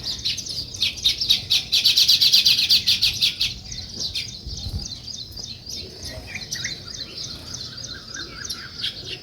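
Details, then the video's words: Early-morning sparrow chatter near weaver birds building a nest: rhythmic pulses of many high chirps, densest early, easing into a steady stream of quick separate twitters. "Sparrow Morning Chirping Sounds"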